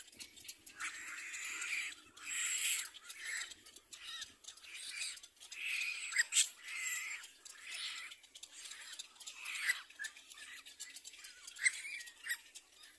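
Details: Begging cries of a little black cormorant chick being fed by its mother, broken into quick, choppy squawks and wheezy rasps that come in uneven clusters over several seconds.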